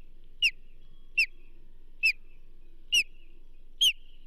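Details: Osprey at the Charlo nest as a whole whitefish is delivered, 29 May 2024, giving five clear, piercing downslurred whistles spaced under a second apart, with faint low hum beneath.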